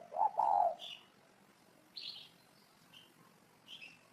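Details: One low, throaty two-part coo from a spotted dove opens the recording, followed by scattered high chirps of other birds over a quiet background.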